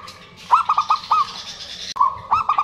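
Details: Local zebra doves, male and female answering each other, sing clipped looping coos over a steady trill, two phrases split by a brief cut, with a high hiss behind; meant to prompt quiet birds.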